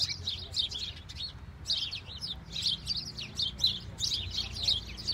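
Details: A flock of house sparrows in falling snow chatters steadily, many short bright chirps overlapping in a busy unbroken stream over a faint low hum.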